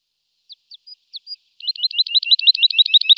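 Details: A lark gives a few separate high thin chips, then breaks into a rapid, even trill of looping whistled notes that grows louder.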